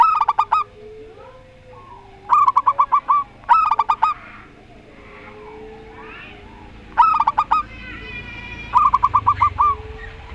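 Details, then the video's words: Zebra doves in a Rondo Semoyo versus odd-voiced bird exchange: five quick bursts of staccato, slightly wavering coos, some paired closely, with softer murmuring notes between them. "Perkutut Lokal Rondo Semoyo VS Perkutut Suara Aneh"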